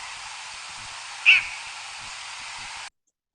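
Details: Least bittern (Ixobrychus exilis) nocturnal flight call during migration, a call rarely heard by day but easily detected at night: a single short, harsh, mid-pitched note against a steady loud hiss, then cut off.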